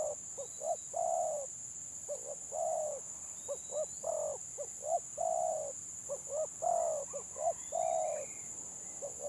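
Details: Spotted dove in a stuttering-song contest, cooing phrase after phrase: short hiccuping notes then drawn-out mellow coos, about seven phrases, faint thin whistles of other birds and a steady high tone behind.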